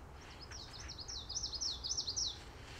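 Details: In Montreal, Canada, a Common Yellowthroat perched on cattail branches sings a quick, high rolling phrase repeated several times in a row, bright and rhythmic, over a faint low rumble.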